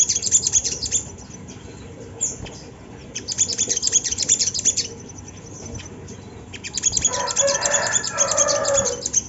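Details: Sunda laughingthrush recorded to coax other birds into song: dense runs of rapid high chirps in several bursts, the last joined by a harsher, lower chattering rasp, over steady background hum.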